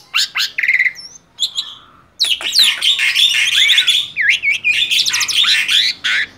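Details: Tame male black-winged starling in energetic song: a few clipped whistles, a short pause, then a dense continuous stream of harsh chatter and swooping whistled notes.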